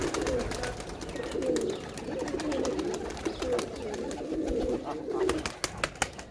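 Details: Murmuring pigeon coos swell and fade in a low band, punctuated by repeated sharp clicks and taps, especially toward the end.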